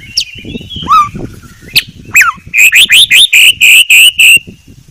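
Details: White-rumped shama, named for its very clear song: scattered sliding whistles and chips, then about eight loud, evenly spaced short rising notes in quick succession.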